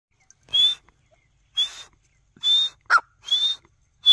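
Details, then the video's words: A male partridge calling with clear, high, slightly rising whistled notes, repeated about once a second. One lower, shorter note cuts in between them. "Male Partridge Voice"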